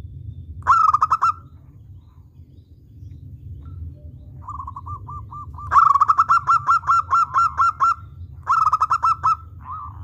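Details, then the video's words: Local zebra dove in good, steady calling form, used as a lure call: bursts of quick rhythmic cooing, a short phrase, then longer runs of rapid repeated coos over a low steady hum. "Suara perkutut Lokal Gacor bagus buat pancingan"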